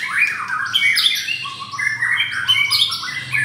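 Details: Caged white-rumped shama at a Jakarta bird stall giving a harsh, scratchy sequence of squawks mixed with short whistles, loud and nearly unbroken, within its 'pastol' repertoire.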